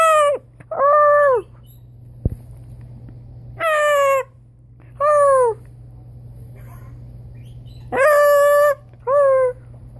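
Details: Blue-and-gold macaw kept as a pet, trading copied sounds with its owner: six loud tonal calls, some rising then falling, spaced a few seconds apart, over a constant electrical hum.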